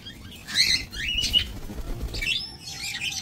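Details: Budgerigars kept for breeding in a small minimalist aviary, recorded 28 November 2024; bright chirps and rising whistled notes in short bursts, with a sliding warble near the end over a low background rumble.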